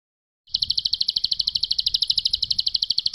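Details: Bar-winged prinia, called ciblek pari, in ngebren song from a tutor recording. It opens from quiet into a rapid, ringing high trill of evenly spaced notes, around ten per second, sustained to the end.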